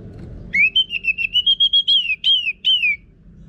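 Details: Orange-headed thrush in loud song used to train other birds to sing: a long, clear whistle held on one pitch and broken into rapid pulses, ending in two falling slurs.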